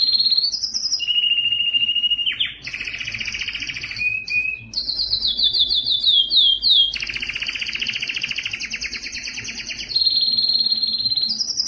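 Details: Belgian canary singing to draw females for reproduction; varied tours of fast trills, low rolls, sweeping whistled notes and a clear high rattle follow one another with barely a pause.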